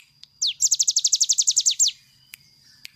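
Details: A single 'nembak' burst from a cigun bird, used to train other birds: a long swept note, then a fast string of about fourteen high, downslurred chips lasting just over a second, followed by quiet with a couple of faint clicks.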